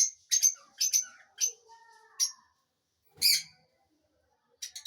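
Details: Lovebird chirping: a few high, sharp chirps in an uneven rhythm, then a short pause and one louder harsh chirp, ending with a quick burst of rapid twitters.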